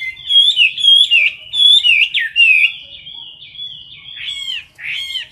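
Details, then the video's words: Caged Chinese hwamei singing in competition style at close range, held near the cage bars: loud, clear whistled phrases rising and falling, with slurred notes and rapid buzzy trills, delivered in bursts roughly every half second with short pauses. "Mi mơ hót đấu cực "Đỉnh""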